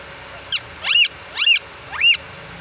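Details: Young green parrot of a Pakistani local breed, kept as a tame pet and learning to speak, gives four harsh rising-falling squawks about half a second apart, with a person's voice nearby.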